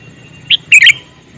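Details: A male sooty-headed bulbul calls with one short note followed by a quick bubbly chirped phrase, clear over a faint low hum.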